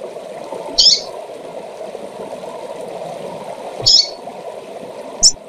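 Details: Female double-collared seedeater calling to arouse males: two short, slightly buzzy high notes three seconds apart, then a quick sharp chip, over a constant low rushing hum.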